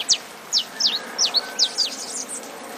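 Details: Saffron finch song with rain: a quick series of about eight sharp, high, steeply down-slurred chips, speeding into a jumbled twittering run at the end, over a steady hiss of rainfall.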